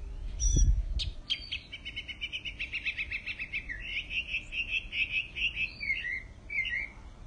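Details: Mockingbird singing, starting with a couple of sharp chirps, then a long rapid trill of repeated notes that wavers in pitch and ends in a few quick whistled slurs.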